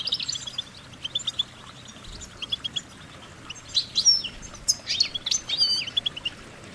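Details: Goldfinch singing a cheerful run of short high chirps that builds into denser, louder twittering and warbles in the second half.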